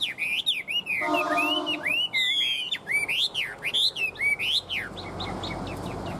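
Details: Fan-tailed tame Chinese Hwamei, tail-flicking like a laughingthrush, delivers loud, sweeping up-and-down whistles in rapid bursts, then fades into softer notes amid room noise.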